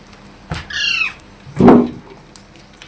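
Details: Parrot giving a harsh, descending squawk with layered harmonics, followed by a louder, broad, noisy burst about half a second later, indoors with faint background hiss.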